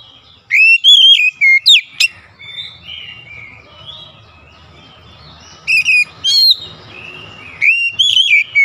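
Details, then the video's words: Magpie-robin song played to coax silent magpie-robins into singing: loud slurred whistles and sharp chips in three separate bursts, with soft chirps and a low hiss between them. "KICAUAN PEMIKAT KACER MACET MALAS BUNYI"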